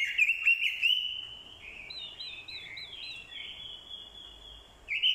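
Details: Decoy Orange-headed thrush in fighting song, accompanied by a female's calls meant to excite a male; a loud opening of sharp slurred notes, then a softer, wavering, trilled warble that swells again at the end.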